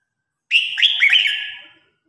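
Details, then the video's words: A single red-whiskered bulbul phrase from competition singing meant to call the flock: a loud, clear warble of quick looping whistled notes, tapering away over about one second against silence. "Tiếng Chim Chào Hót Đấu /Tiếng Hót Gọi Bầy Đàn"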